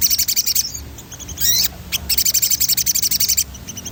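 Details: A lively rolling song from a sogon, used as a training track to spur other sogon to sing. Dense, rapid high trills are interrupted midway by a couple of slurred, descending whistles, then resume as a steady rolling chatter.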